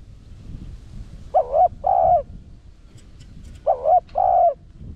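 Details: Spotted dove in the 'Rặc Đồng' voice style, cooing to lure wild doves: two-part coos, a dipping note then a longer level one, given twice about two and a half seconds apart over quiet background.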